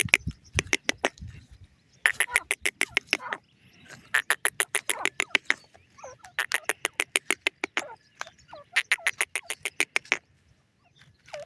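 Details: Indian grey francolin chicks at play, giving rapid bursts of sharp, clicking peeps, roughly three per second in runs of several, broken by brief pauses and a few soft, curving whistled notes.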